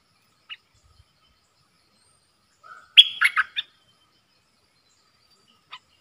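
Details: Bulbul kept in a cage and trading songs with wild birds, ดอกแตง style, 3 October 2021: isolated faint notes, a soft low trill, then one loud phrase of four clipped whistled notes.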